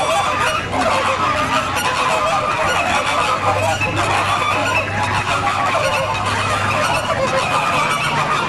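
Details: A flock of pink flamingos in San Diego keeps up steady overlapping honking, harsh and nasal, with a low engine-like hum in the background.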